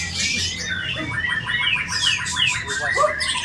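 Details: White-rumped shama singing a richly filled, sharp-voiced song while bowing low, with sweeping slurred whistles, rising and falling notes and rapid trilled runs packed densely together.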